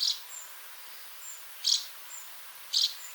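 House martin calls: short, dry, high chirrups repeated about once a second, with fainter thin notes between them.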